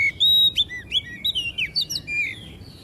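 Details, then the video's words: Oriental magpie-robin song meant to provoke a caged bird into singing and spreading its tail: high clear whistled notes, each slurring up or down, strung into short varied phrases over steady low background noise. "PANCINGAN SUARA KACER AGAR CEPAT EMOSI DAN BUKA EKOR"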